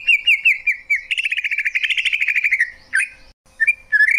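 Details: Greater green leafbird song: rapid warbled phrases of clear whistled notes near the middle-high range, a fast trill-like run of repeated notes, then short sharp upslurred whistles after a brief pause.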